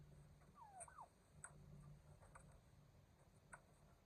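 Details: During mating season, a turkey gives a short, faint, wavering call that dips and then rises, with a few soft clicks over a steady low rumble.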